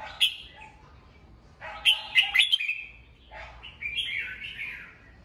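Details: Red-whiskered bulbul kept in a cage, morning singing to rouse and train birds: a sharp note, then a burst of rapid chattering clicks and warbles, ending in a long rolling, fluty phrase.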